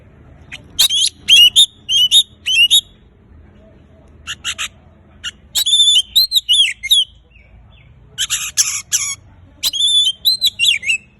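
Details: Oriental magpie-robin in full, lively song, used to prompt silent magpie-robins into singing: bursts of bright whistled and chattering phrases with sliding high notes, each burst about a second long, separated by short pauses.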